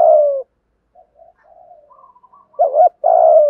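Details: Low cooing of a spotted dove, 'giọng thổ thúc gù' song used to prompt captive doves to coo: the tail of one long coo, quiet soft mutterings, then a new wavering note and long husky coo.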